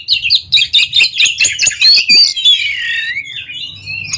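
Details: Duel between two ringed captive Oriental magpie-robins: a rapid run of about a dozen scratchy chirps, then a long flowing warble of thin whistles sliding downward, over faint low background hum.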